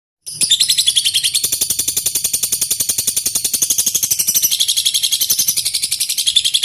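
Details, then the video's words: Lovebird delivering a long-duration ngekek bout meant to provoke rival birds into singing: after a brief silence, a rapid, unbroken chattering trill of sharp high pulses begins and runs steadily to the end. "Lb ngekek durasi panjang, burung lovebird gacor"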